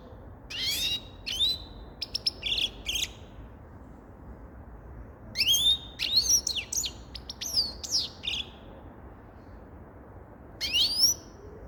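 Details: Song of the grey-crowned goldfinch in bursts of fast, high twittering notes and liquid rising slurs, separated by brief pauses, with a final short phrase near the end.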